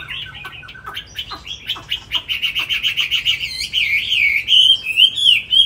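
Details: Tame caged Chinese hwamei from Hà Nội, praised as a fine singer: scattered short chirps build into loud, rich, slurred whistles, rapid and warbling, rising and falling near the end with a faint low hum beneath.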